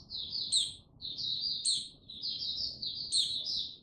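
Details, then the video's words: A captive white-eye, recorded 6 March 2022 before it fully opens into full song and while gaining confidence, sings a high, rapid, twittering warble in quick bursts with brief gaps over a faint low hum. "Mata Puteh"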